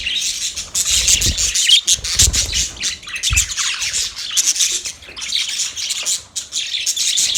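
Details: Continuous high, buzzy warbling and squawky chirps from budgerigars, nearly unbroken throughout, with a few dull low thuds in the first half.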